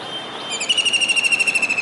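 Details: Kingfisher perched on a building's dish antenna in Surat, Gujarat, calling on a rainy day in July 2019. It gives one quick, chattering trill of piercing high notes, evenly spaced and slightly falling, lasting over a second.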